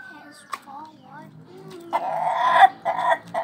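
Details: Indonesian ayam ketawa, or laughing chicken, crowing in its laugh-like style: faint short calls and background noise, then a loud harsh drawn-out crow that breaks into a few choppy pulses.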